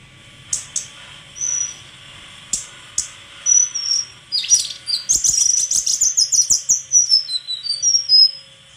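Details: Scattered clicks and soft whistles from a white-throated flycatcher, then a fast stream of high chirps and whistled notes over a faint low hum.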